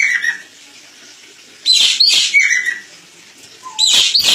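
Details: Crested jay (ekek keling) master recording for training: a faint whistled note, then loud harsh rasping bursts followed by a descending whistle, and a low short note before another harsh burst.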